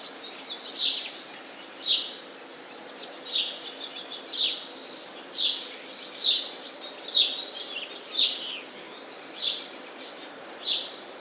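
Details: Chirping sparrow calls, bright and high, nearly one each second in an uneven run, with quieter chirps layered between and a steady hissing background.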